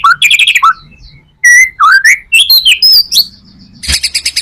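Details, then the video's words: Lure song of a white-rumped shama with full repertoire: rapid buzzy trill, rich sliding whistles, high sharp notes, then a fast rattling series at the close. "Murai batu full materi,cocok buat pancingan murai batu lainnya"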